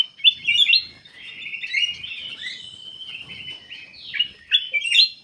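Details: Black-capped bulbul singing energetically, used as a lure to prompt other birds to sing; a continuous run of quick, varied whistled and warbled notes, high-pitched, with sharp rising and falling slurs and brief chattering bursts.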